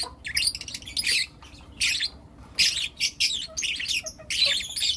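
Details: Lutino lovebirds, four youngsters, chirping in the morning; shrill chirp bursts roughly every half second to second, each a harsh squeaky cluster, quiet gaps between.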